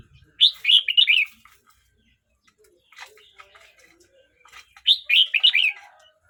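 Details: Red-whiskered bulbul, a young bird aged 12 months 29 days, sings two bright, warbling phrases of quick rising-and-falling whistled notes, about four seconds apart, with softer scattered notes between them.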